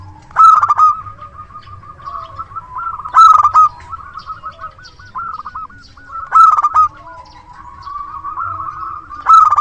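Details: Local zebra dove, a strong singer with a big voice, used as a lure: loud harmonic cooing bursts about every three seconds, each followed by a long run of short, evenly repeated mid-pitched coos over a faint low hum.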